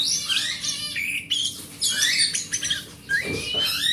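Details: Oriental magpie-robin, a large-bodied hobby bird of forest type, singing as a lure for silent magpie-robins: rapid varied phrases of bright whistles, rising slurs and scratchy notes, with brief pauses and sharp clicking noises.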